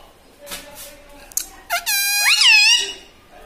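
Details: Home talking parrot that says mummy, papa and radhe radhe; faint murmurs and clicks lead into a sustained high nasal tone, which turns into a loud rising-then-falling word-like squawk.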